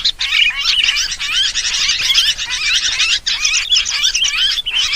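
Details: Sooty-headed bulbul calls used as a lure to draw all kinds of birds together. A noisy, busy stream of bubbly, upslurred chirps and warbled notes tumbles continuously, with several overlapping callers and brief gaps.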